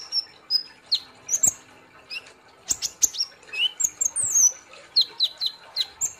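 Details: Olive-backed sunbird in gacor nembak song: a series of separate high slurred whistles, some falling, some rising, interspersed with sharp clicks and quick squeaky notes at an uneven pace.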